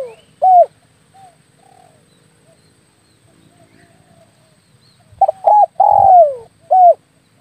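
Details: Spotted dove lure call for attracting doves when hunting with an air rifle: a single loud coo, a long pause, then a full phrase of two short coos, a long falling coo and a final short coo.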